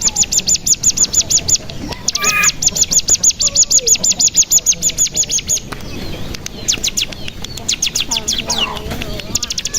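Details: Decoy recording of the bar-winged prinia (cigun), played to make other birds sing and trill: bursts of rapid, high, evenly spaced ticking notes with brief gaps, plus scattered lower chirps and whistles in the background.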